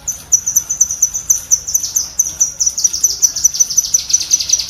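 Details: Cucak kinoi bulbul rapid chatter for pet-bird training: a run of shrill clipped notes, several per second, turning slightly rougher and lower-edged in the second half.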